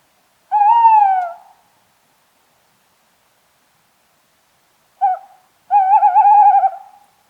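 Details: Tawny owl hooting in a clean, quiet recording: one drawn-out falling hoot, a long pause, then a brief clipped note and a sustained, quavering hoot lasting over a second.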